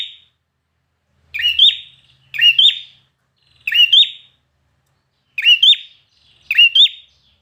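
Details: Red-whiskered bulbul, a trained bird singing in competition, giving five loud, short whistled phrases, each a quick rising-and-falling double flourish, spaced about a second apart with clean silence between them.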